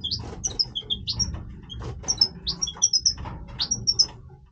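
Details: Breeding-voice song of a male European goldfinch: a lively string of short clear whistles and chirps, evenly spaced and bright, over faint low background hum.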